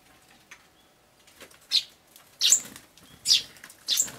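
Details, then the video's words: Adult sparrow squabbling with a young sparrow on 13 June 2012: after a quiet start with soft rustling, four harsh, high chirps come roughly every 0.7 seconds. "え？雀の親子げんか？ Adult sparrow is fighting young sparrow"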